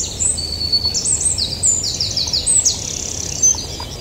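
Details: Yellowhammer singing: quick runs of short, high, downslurred notes repeated in series, with brief drawn-out notes between. Other song phrases overlap, and a low rumbling background noise runs throughout.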